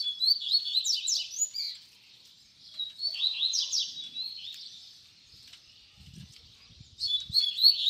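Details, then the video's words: Double-collared seedeater singing a song in the baderna style, used for teaching young birds to sing: high, fast phrases of sharp down-slurred notes and trills, given in bursts separated by short pauses, with faint low thumps near the end. "Baderna de Coleiro Cantos Fibra"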